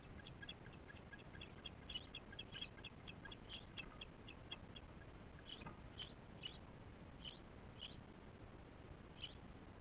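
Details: Osprey chicks calling at their nest on a July morning: series of short, high, squeaky peeps, closely repeated at first, then more spaced out, over constant low rushing background noise.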